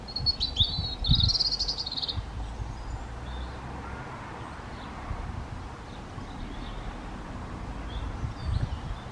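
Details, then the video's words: European robin singing in breeding season, a territorial song answering other robins nearby: a brief high, jangling burst of thin warbled notes in the first two seconds, then faint distant phrases over low rumbling background noise. "Singing Robin"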